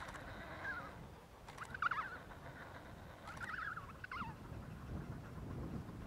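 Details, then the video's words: Emperor penguin (Aptenodytes forsteri) chick in Adelie Land, Antarctica, in January, begs for food from its parent with four short, warbling whistles that waver up and down, over a steady rumble of wind. "Emperor penguin chick begging for food from parent"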